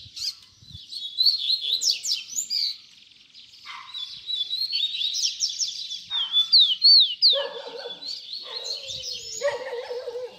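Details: Double-collared seedeater singing a 'baderna' style song used to teach young birds: fast, jumbled high chirps and sweeping whistled notes, followed by lower, repeated buzzy notes toward the end.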